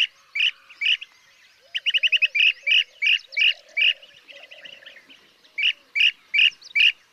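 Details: Blue-tailed bee-eater (Merops philippinus), call.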